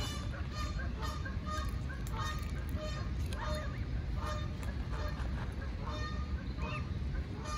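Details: An adult Canada goose attacking a lost gosling gives short, nasal honks at an irregular pace, partly masked by a strong low rumble of wind or handling noise.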